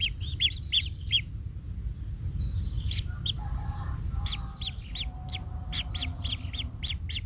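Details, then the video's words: Kingfisher chick in its nest, hurt after a parent stepped on it, gives a run of sharp chirps. A brief pause with faint lower sounds follows, then a fresh steady string of high chirps over low rumble. "Anak Tengkek Terinjak Induknya Hingga Kesakitan - Baby Kingfisher bird nest"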